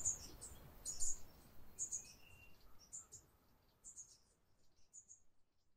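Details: A Brown Inca hummingbird in northern Peru gives very high, thin, sharp chips, single or in quick pairs, about once a second, over a low background rumble.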